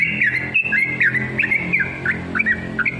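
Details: Yellow-vented bulbul, caged, long rapid song used to provoke other bulbuls into singing; loud whistled notes around mid pitch with quick down-slurred flourishes in a steady chattering run.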